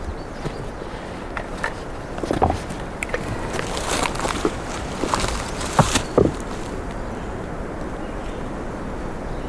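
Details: Crunching footsteps and scattered knocks outdoors over a steady low background rumble, with a few louder thumps near the middle.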